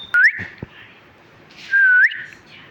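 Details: Pet talking parrot giving two clear whistles, each sliding upward, about a second and a half apart, with a faint tap between them.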